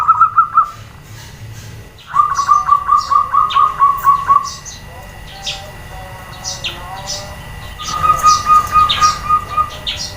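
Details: Female zebra dove (perkutut) calling to set males answering: a short cooed trill, then a longer series of about nine evenly spaced low pulses, and a later trill, with busy high chirping from other small birds.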